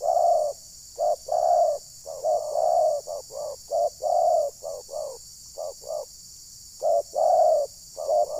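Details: Spotted dove used as a trapping decoy at Ujung Batu, Rokan Hulu, said to anger wild birds. Low, resonant coo phrases mixing brief and stretched notes, broken by short pauses, with a faint steady hiss.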